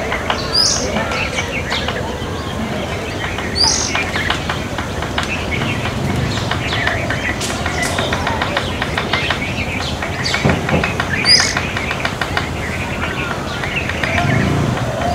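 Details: Fulvous-breasted woodpeckers pecking: irregular dry taps scattered throughout, at times in quick runs, with faint high chirps from other birds over steady background noise.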